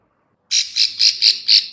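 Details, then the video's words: Female bar-winged prinia call, used as a lure for birds: five loud, harsh, rasping high notes in quick succession, each lasting about a tenth of a second. "suara klik- klik betina/ciblek sawah"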